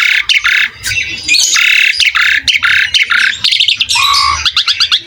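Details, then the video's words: Asian pied starling in full song for songbird training, alternating harsh chatter, squeaky rising whistles and quick clicking notes in dense bursts, with a faint low hum behind. "MASTERAN BURUNG JALAK SUREN GACOR"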